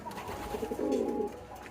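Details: A young domestic pigeon, one of a pair growing into adulthood, gives a low, throaty coo that swells and fades over about a second; it has been calling heavily for about three minutes, and the owner suspects both may be males.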